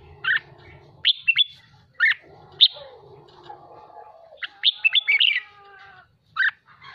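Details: Caged red-whiskered bulbul being trained and excited into full 'hót ché' song: short bright warbled phrases in scattered bursts, separated by pauses, over a low steady hum and faint lower murmuring.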